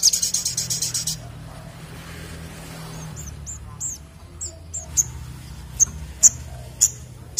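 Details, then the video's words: Sunbird, locally called sogok ontong, described as singing vigorously in the 'ngleper ngalas' style: a rapid high trill of about a dozen notes, then scattered sharp, very high chirps and short whistled notes spaced roughly half a second apart, over low background rumble. "Sogok Ontong Gacor Ngleper Ngalas"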